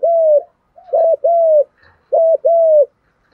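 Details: Spotted doves, male and female, in gù đấu and thúc gù cooing for bird training: a long coo, then two phrases each pairing a short clipped note with a sustained mellow coo.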